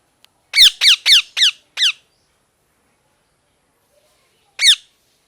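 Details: [2, 'A parrot chirps five times in quick succession with sharp, descending, raspy notes. After a long silence, one final call follows.']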